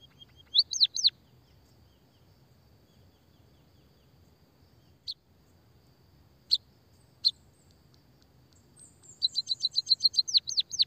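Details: White-headed munia (emprit kaji) gives a few downward-sweeping chirps, then scattered single sharp clicks, before launching into a fast rolling train of high repeated notes at the end.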